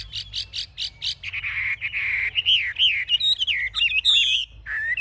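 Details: Chinese hwamei, a caged fighting bird shown with raised wings and fanned tail, singing: a run of five short repeated notes, then a loud varied stream of rich whistled phrases sweeping up and down.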